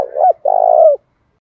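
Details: One phrase from a big spotted dove's fight-provoking call in thổ bầu voice: a brief coo, a short pause, then a sustained, trembling low coo that falls away at the end.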